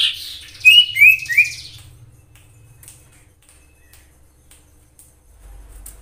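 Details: Common iora, recording offered as a lure to set other ioras singing: three short, sharp chirping notes in quick succession, each slightly rising then dropping, followed by quiet.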